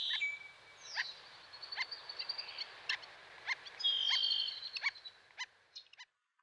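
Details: Black-necked stilt giving sharp, clipped yelping notes repeated roughly twice a second, irregular and at times doubled, over a steady high hiss, with thin drawn-out whistled tones from another bird in the background.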